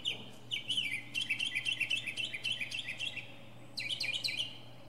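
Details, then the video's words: Mockingbird giving a mini concert from the top of a pine: a fast run of jumbled, bubbling chirps and trills for about three seconds, a pause, then another quick burst of repeated notes; low hum behind. "Northern Mockingbird goes thru his greatest hits!"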